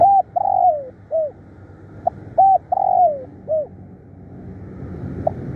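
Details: Spotted dove calling as a decoy, bold and insistent: clipped arched coos alternating with a long falling coo, the phrase repeated twice before quiet background.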